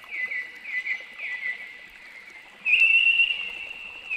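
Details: A noisy miner in Australia gives three or four quick, harsh chattering notes, then one loud, sustained rasping call; no other sounds stand out.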